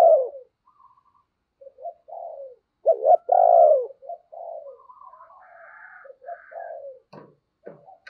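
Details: Spotted dove used as a decoy, cooing and calling to lure wild doves: low hoarse coos around mid pitch, a loud double-note phrase near the middle, with softer, fainter dove coos from a second bird in the background.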